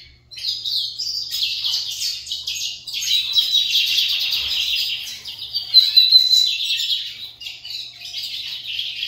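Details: Pet Lined seedeaters singing against one another, filling the stretch with dense, fast, high twittering phrases and trills that run almost without pause, briefly dipping mid-way before resuming with sharp whistled notes; a faint low hum persists beneath.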